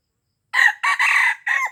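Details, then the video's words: Loud red junglefowl crow recorded in Aceh, used to lure wild junglefowl: a brief rasping start, then a long strained middle section, ending in a downward-bending final note. The whole crow lasts about a second and a quarter, in a quiet setting. "Ayam Hutan Aceh # Pikat Ayam Hutan Ori"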